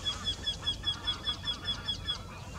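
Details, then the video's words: A Eurasian wryneck sings, one of two birds singing in the same tree: a fast series of about eleven nasal, ringing 'kee' notes, about five a second, at an even pitch, with faint background hiss. "Göktyta sång. Wryneck Song. Wendehals Gesang"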